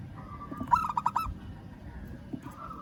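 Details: Local zebra dove calling out to a rival: one short rapid series of soft coos over faint background noise.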